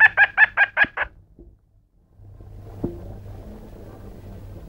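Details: Pet cockatiel, a male, giving a fast string of six husky, evenly spaced ha-ha-like notes that fade into quiet murmurs, followed by steady low room hum.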